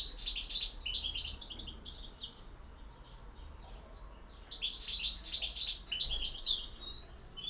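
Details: European goldfinch singing in the campero song style: rapid, liquid twittering phrases mixed with buzzy notes, delivered in two dense bursts separated by a pause, with a low steady hum underneath.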